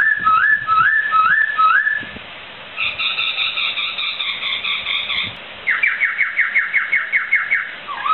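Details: Laughingthrush called poksai, singing energetically as a songbird tutor recording: stepped rising whistles, a steady high trill, then a fast run of sharp falling notes about five per second.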